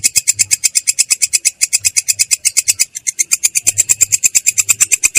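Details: Long-tailed shrike rolling in its "ngerol" style, a clear, rough voice: quick rasping notes pour out steadily, with a brief falter near the middle before the fast run resumes.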